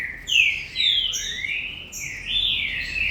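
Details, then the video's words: Captive-bred green-winged saltator whistling a few broad, sweeping phrases, one dipping sharply then gliding upward, clear and loud above low hum. "TRINCA FERRO DE FIBRA -GALADORES-"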